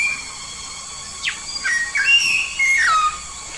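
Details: Yellow-faced myna from Papua, a lively singer: a short run of quick downward-sweeping clicks followed by clear whistles, the last one falling steeply, over a constant high-pitched hiss.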